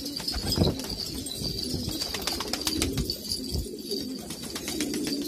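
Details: Afghan purebred pigeons in Kabul: low, bubbling coos from several birds overlapping, punctuated by frequent sharp clicks and taps.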